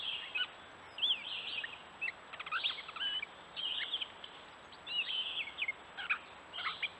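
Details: Gray catbird singing during courtship in woods of Strafford County, New Hampshire: phrases of mixed whistles, squeaks and harsh notes, delivered in clusters separated by short gaps.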